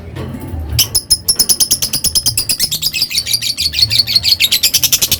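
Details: After a quiet start with low hum, a lovebird breaks into long ngekek chatter: quick, shrill, rasping high notes in a fast steady stream lasting over four seconds.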